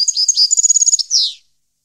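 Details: European goldfinch, 2015: one short, fast phrase of high liquid twitters and evenly spaced tinkling notes, closing with a brief nasal buzz.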